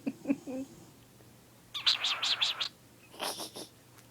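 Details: A pet lutino cockatiel gives a newly learned sound: a quick run of five bright, warbling chirps, then harsher, scratchy notes; the low sounds first are likely a dog snoring.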